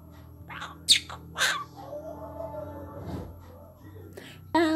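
A monk parakeet talks, producing short raspy word-like bursts and squawky, voice-like phrases.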